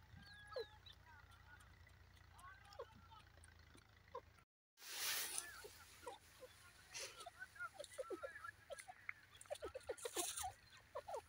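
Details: Young grey francolin chick (gora teetar) giving an irregular series of short, soft chirps and peeps. Faint rustling can be heard throughout, and there is a brief burst of noise midway.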